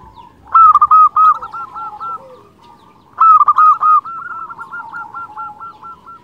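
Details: Two phrases of local zebra dove (perkutut) song, used to lure wild zebra doves and rouse quiet or stressed birds into singing: each starts with a loud coo and runs into a quick trill of stuttering notes, with faint cooing behind.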